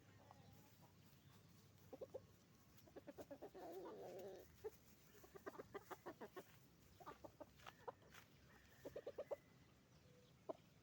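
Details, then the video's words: Roosters and hens on a chicken farm calling together; rapid runs of short clucks in bursts, a harsher rasping squawk early on, and scattered single notes, over a constant low farm hum. "Moment of the sound of a chicken farm, roosters and hens making noise"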